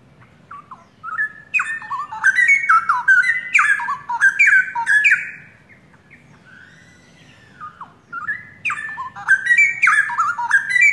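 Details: Straw-headed bulbuls, a young pair originally from the forest and kept caged in Indonesia, in full active song. Two bursts of liquid, gurgling warbles are split by a brief softer whistle near the middle.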